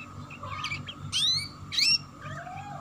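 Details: Canary ngeriwik chirping, meant as a lure to get young canaries singing: two bright, rising whistled sweeps in the middle and a few softer chirps around them, over a steady low hum.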